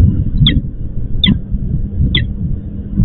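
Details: Three spaced, sharp notes, about one every 0.8 seconds, from a female peregrine falcon in Łódź, Poland, calling the male who did not show up for the nest change; low rumble beneath.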